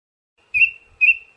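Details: Siberian thrush song: two clear, thin, level whistles about half a second apart, each fading out slowly.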